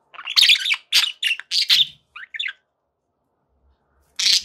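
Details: Pet budgerigars chattering: a burst of harsh, scratchy warbled notes and chirps over about two and a half seconds, a pause, then another loud squawky burst.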